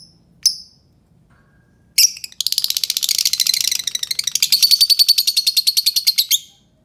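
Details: Albino lovebird giving a sharp single chirp, then a long rapid chattering run of harsh, buzzy high notes, about three and a half per second, lasting over four seconds.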